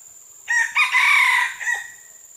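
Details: Red junglefowl recorded on June 12, 2011, crowing: a short opening note, a brief pause, then a long harsh drawn-out middle section and a clipped final note. A steady high insect hiss runs throughout.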